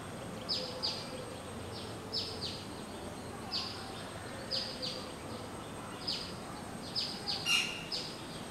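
An Asian pied starling gives short, high, downward-sweeping notes, singly or in quick pairs, about a dozen over eight seconds, above a steady background hiss.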